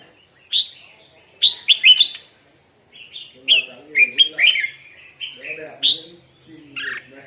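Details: Red-whiskered bulbul singing in a morning song-training session, giving short bright whistled phrases of rising and falling notes in quick bursts with pauses between, faint murmur of people in the background.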